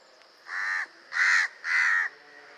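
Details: House Crow, a common bird found everywhere in urban city areas, giving three harsh, nasal caws, each about a third of a second long and spaced roughly half a second apart, over a faint background hum.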